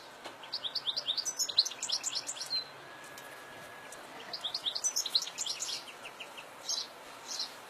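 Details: Wild European goldfinch in natural fields, giving long runs of bright, quick twittering notes with liquid trills, pausing briefly before a second lively burst, then a few soft notes.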